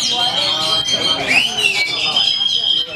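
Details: Oriental magpie-robin singing at a songbird contest in Kadungora, Garut, Indonesia, where it won double honours: bright, sustained high whistles with a rising sweep midway, over crowd chatter and other birds.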